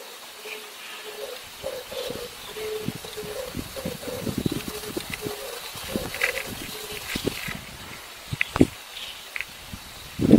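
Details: Oriental turtle dove calling in the morning on a rooftop, filmed from behind: low, hoarse cooing notes in a steady rhythmic phrase repeated for several seconds, over scattered clicks, rustles and a few sharp knocks.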